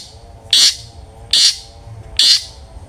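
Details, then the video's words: Long-tailed shrike, loud 'ngeplong' singer used as a lure for other shrikes, giving three loud harsh rasping notes, each lasting a fraction of a second and spaced under a second apart, against quiet background. "cendet gacor NGEPLONG sangat ampuh buat PANCINGAN cendet agar RAJIN BUNYI"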